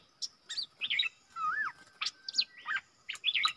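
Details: Southern Thai wild bulbul singing back at a lure bird, never coming near the cage: separate bright chirps mixed with a looping, rising-then-falling whistle and a few sharp downslurred notes, unevenly spaced.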